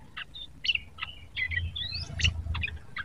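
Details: Quiet practice song of a young sooty-headed bulbul still learning its sounds: scattered chirps, short warbled phrases and one long rising whistle, over a steady low hum.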